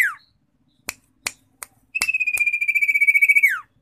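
A Common iora opens with a brief falling whistle, then a long, steady, high trilled whistle lasting about a second and a half that slurs downward. Sharp clicks sound in between.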